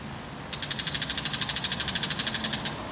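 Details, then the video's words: Bull-headed shrike holding a praying mantis in its bill, looking around and calling boastfully, gives a rapid, harsh chatter of about twenty sharp, high notes, about ten per second, over two seconds in quiet surroundings. "自慢気に鳴くモズ～３種類の鳴き声～Bull-headed shrike"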